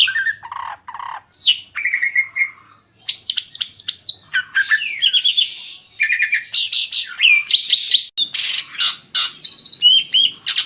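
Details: Singing Asian pied starling, said to coax other birds into song, gives a long mixed phrase of looping whistled notes, descending slurs, harsh buzzy bursts and short chattering clicks in a quiet setting.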